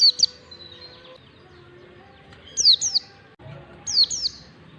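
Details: Oriental white-eye (pleci) long standard 'ngalas' song as a learning lure for young white-eyes: high falling whistled slurs in paired bursts, a short opening note then two phrases near the end, over low hum.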